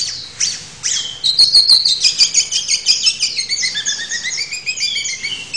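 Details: Long-tailed shrike song: a quick medley of sharp high notes and short whistles. It starts with a few slurred chips, then runs into a fast, steady chatter of clipped notes that slowly fall in pitch.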